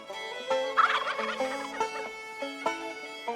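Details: A male wild turkey giving his strutting courtship display utters one short, rapid, gurgling gobble over plucked banjo-style music.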